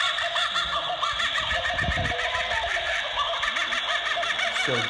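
Laughing Kookaburra: a loud, rollicking chorus of rapid, repeated cackling hoots that rises and falls like raucous laughter, played back through a small speaker, with a brief low voice.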